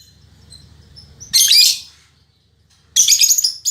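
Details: Female lovebird of fighter temperament giving two loud, dense, harsh screeching bursts separated by a quiet gap, over faint low background hum.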